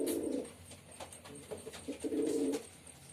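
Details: Male pigeon performing, with a loud, drawn-out throaty coo at the start, softer short notes in between, then another long swelling coo before quiet.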